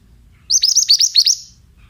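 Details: Male pied bushchat singing for young birds to copy: a tight, bright phrase of about seven rapid high chips, each slurring downward, lasting roughly a second.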